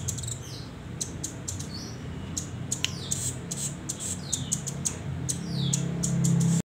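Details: Hand-reared young velvet-fronted nuthatch still learning its song: rapid, uneven series of high sharp chips mixed with short descending whistled slurs, fairly continuous, over low room hum.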